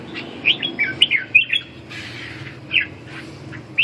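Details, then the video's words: Red-whiskered bulbul competitive singing for a bird recovering its drive and strength: a brief flurry of sliding whistled notes, a pause with faint rustling, then isolated sharp chirps. "Đấu ché, phục hồi chim mất lửa, mất lực"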